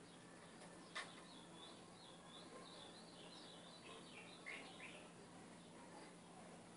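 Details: Recorded ultramarine grosbeak song used to train a caged seedeater: a run of clear whistled notes that dip and climb, ending in a quick descending flourish, over constant low hum and a sharp click near the start.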